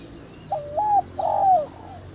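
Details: Spotted dove (cu gáy) calling in the thổ đồng style, used to rouse decoy birds: a mellow low coo in two hollow parts, then a longer, louder, slightly falling note that fades at the end.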